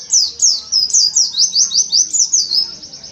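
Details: Oriental white-eye kept by its owner, singing the tembakan ziper sambung kolibri muncang style: sharp, high chirping notes sliding downward, delivered in a steady rhythmic series of about a dozen over three seconds.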